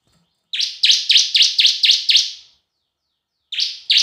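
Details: Bar-winged prinia lure song in semi and kristal style: a long string of seven sharp, ringing high chirps at steady intervals, then a pause and the start of a new series of two.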